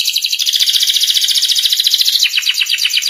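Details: Canary master song meant to help young canaries learn the ngeriwik sound: one continuous, very rapid, high rattling trill that shifts slightly lower partway through and keeps an even, fast pulse.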